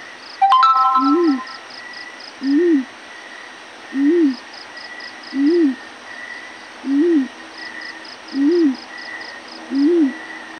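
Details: Yellow-breasted fruit dove morning call: soft, low rising-and-falling coos, about one every one and a half seconds, with a steady insect buzz and a brief click at the start.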